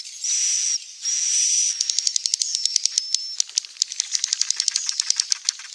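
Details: Edible-nest swiftlet sounds used to tempt birds to build nests: two long high buzzy whistles, then a fast run of sharp rattling clicks under a faint wavering whistle.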